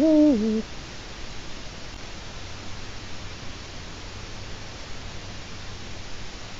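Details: Eurasian eagle-owl at a webcam in Latvia, 4 March 2018 at 16:06: one short, deep hoot that dips in pitch, already under way as the recording starts. Steady low hiss follows for the rest of the recording.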